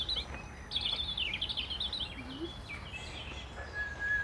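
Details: A European robin in the Rhône, France sings loudly to defend its territory. Its high, thin, tumbling phrases rise and fall quickly and end on a drawn-out whistle, over a soft outdoor hiss.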